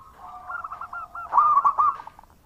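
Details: Loud-voiced local zebra dove in active song: a short run of soft rolling coos, then a brief louder burst of trilled cooing notes.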